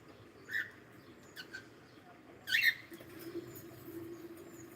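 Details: Cockatiel giving short chirped calls: a quick note near half a second, a fainter one after, then a louder, sharper chirp with a brief tail around two and a half seconds, over a low steady hum.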